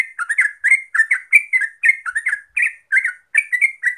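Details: Lure song of the Yellow-vented Bulbul (terucuk) for rapid continuous singing: quick clusters of warbling, gurgled chirps, each group followed by a short gap, steady and clear.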